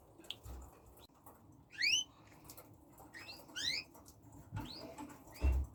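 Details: Red factor canaries, newly acquired, singing in short bursts of fast rising whistled sweeps and trills, with quiet gaps between phrases and a low background rumble.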